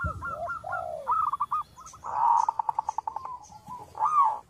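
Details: Local zebra dove, small-voiced, recorded as a lure: low curved coos open into a staccato trill, followed by a dense, throbbing stretch of pulsed cooing and a final swelling coo.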